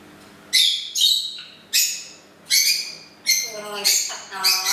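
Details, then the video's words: Indoor pet parrot singing happy birthday for its owner on her birthday; loud, raspy, harmonic syllables repeated roughly every three-quarters of a second, the last ones lower and more tonal, like mimicked words. "Parrot singing happy birthday to me, on my actual Birthday!"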